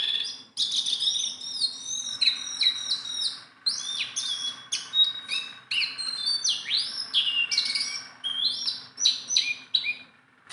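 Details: Tame Sunda bulbul, kept as a hand-tame bird, singing busily: a rapid jumble of high whistled notes, slurred upward and downward strokes and short chirps, with almost no pauses across the phrase.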